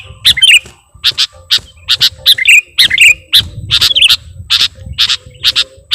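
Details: Sooty-headed bulbul lure recording meant to attract birds: short bright chirps and whistled notes in quick bursts about every half second, some with a twisting downward slur, against a faint low rumble.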